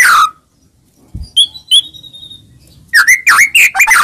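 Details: White-rumped shama lure song to provoke a reply: a sharp downslurred note, a gap with two thin high whistles, then a run of loud quick sweeping notes.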